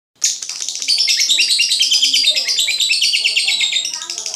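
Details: Lovebird song: a loud, sudden burst of fast, buzzy, high-pitched chattering and twittering, about three notes a second, running on without pause after a brief silence.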